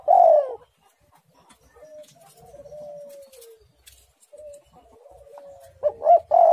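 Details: Spotted dove singing, described as very active and vocal: a loud hoarse coo, then soft drawn-out low cooing, ending in loud bursts of coos.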